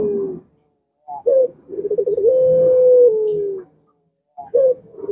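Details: Dove known as puter giving its prolonged coo to coax another bird into song: soft lead-in notes, a quivering roll, then a smooth low tone that slides slightly downward.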